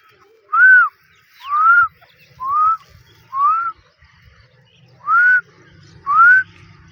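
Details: Female grey francolin: six clean, arched whistled notes at uneven intervals of roughly a second, with faint low background murmur between them.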